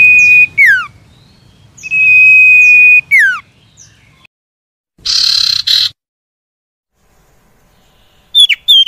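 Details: Common iora song for stirring caged birds that refuse to sing: long level whistles each ending in a swift downward slur, with a short harsh buzzy burst between phrases.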